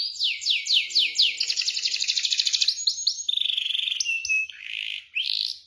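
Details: Kenari, or canary, in full roll song: fast repeated down-slurred notes forming a steady trill, then a brighter rapid rattle, flat whistles and short rising sweeps.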